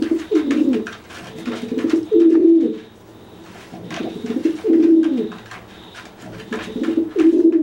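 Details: Dry pigeon cooing to threaten a wet pigeon that cannot fly after bathing, puffing itself up to look bigger; low, throaty rolling coos in three bouts about two seconds apart, with faint clicks and rustles between.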